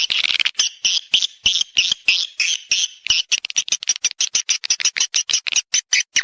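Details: Swiftlet lure call played to attract swiftlets to mate and nest in a swiftlet house: dense, rapid chirping twitters, at first blurred together, then separating into quick, regular pulses, about three per second.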